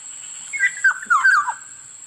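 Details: Black-naped oriole calling once: clear, liquid slurred whistles strung into a short phrase that dips downward at the close, a continuous high whine behind it.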